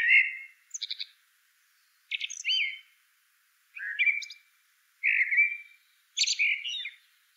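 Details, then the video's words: A blackbird delivers quick whistled phrases broken up by sharp, high, scratchy notes, about five bursts in seven seconds, each one varied in shape. "CANTO DO MELRO PRETO"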